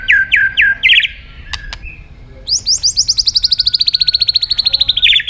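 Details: Singing white-rumped shama used to draw a rival: several quick downslurred whistles, a short gap, then a long, fast, even rattle of high clipped notes lasting nearly three seconds.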